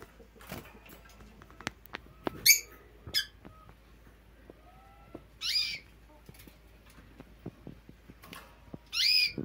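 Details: A pair of red siskins gives short, buzzy, twanging bursts of high notes about every three seconds, with scattered clicks and knocks in between.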